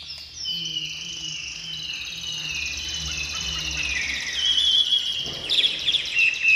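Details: Chinese hwamei, a caged bird singing just after leaving its covered box. A long sustained high whistle slides slowly downward, then breaks into sharper, trilled, more emphatic notes near the end.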